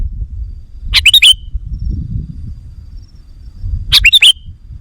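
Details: Sooty-headed bulbul lure call used to attract wild birds: two short bursts of bright, chattering notes about three seconds apart, each a quick run of three or four sharp chirps ending in a downslurred note, over low rumbling background noise.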